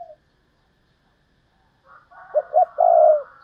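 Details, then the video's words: Thúc lợi cốt call of a decoy spotted dove: after a silent pause, a faint note, then two short hoots and a long mellow coo, with a buzzy higher hum running behind it. "Chim Cu Mồi/ Thúc Lợi Cốt"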